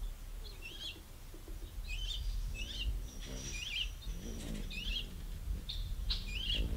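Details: Ruby-throated hummingbirds battling at feeders; short high squeaky chirps with a curling, twisting shape, given in quick bursts about every second, over low rumbling background noise and faint lower buzzing.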